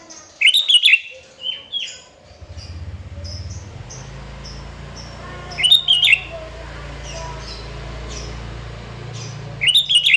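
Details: Sooty-headed bulbul in full voice, used to provoke rival birds into song: three bubbly whistled phrases spaced about four to five seconds apart, with scattered thin chirps between and a constant low hum.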